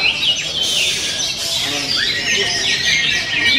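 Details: Kacer, the oriental magpie-robin, delivering a quick varied song of high whistled notes, downward and upward slurs and short chattering bursts, with faint overlapping calls behind.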